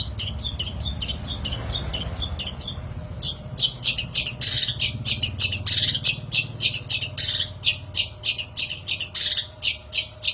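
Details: Long-tailed shrike song for luring and training shrikes: quick scratchy notes in paired bursts, then a dense run of harsh clicks and chatters about three per second, with soft background hum.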